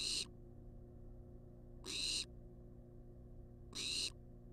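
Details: Barn owl, wild, food-demanding hisses from a monitored nest box: three short, breathy, rasping screeches spaced about two seconds apart, with a low steady hum underneath.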